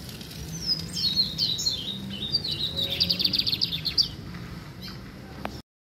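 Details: Lined seedeater, brown plumage, singing one long phrase: wavering high whistles stepping down, then a dense rapid trill of buzzy notes, over background hiss and hum; the sound cuts off abruptly.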